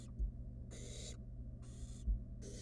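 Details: Barn owl chick in a wild nest box handling prey brought by its mother, giving three long, harsh, airy hisses with short pauses between, plus a couple of soft thumps and a constant low hum.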